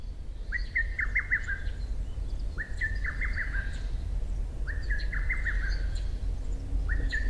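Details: Lesser cuckoo singing in June just after 4 am at dawn, recorded with a Sony PBR-330 parabolic reflector and ECM-CS3 microphone; three quick, loud phrases of sharp descending notes, each about one second long and repeated every two seconds, over a low rumble.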